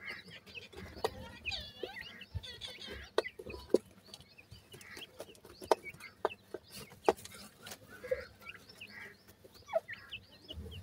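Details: Feeding white francolin chicks (teetar): a busy stream of thin rising and falling peeps from several chicks, with soft low clucks and frequent sharp pecking clicks throughout.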